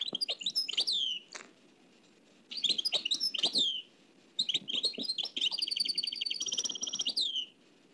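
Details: Nightingale singing in the Oued El Alleug style, copied from an old cassette: bursts of rapid high chirps and rattling trills, then a long phrase of evenly repeated notes ending in a downslurred whistle, separated by short silences.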